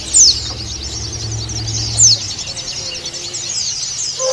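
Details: Pleci dakun Bali, a white-eye, calling a rival with busy high-pitched twittering and two loud, sharp, falling whistles near the start. A low rumbling hum fades out halfway through, and a faint low tone sounds at the end.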